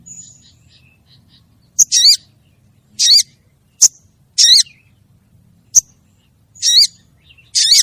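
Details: A female crested jay calls for the male. Single sharp clicks alternate with buzzy, rasping high bursts, a pattern repeated several times at roughly one-second gaps against a quiet background.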